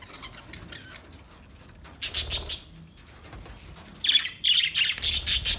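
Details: Budgerigar chirping in two loud bursts of rapid, high, rasping notes separated by a quiet gap, with faint chatter beforehand.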